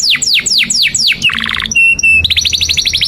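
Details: Canary, long 'gacor' song offered as a tutor for young and stalled birds: five fast descending whistled sweeps, then a quick lower trill, two steady pure high whistles, and a rapid buzzy rising-note trill.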